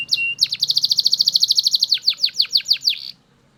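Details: Belgian canary in loud song, a short whistle opening into a fast even trill of about twenty bright notes, then slower downward-sweeping notes before stopping.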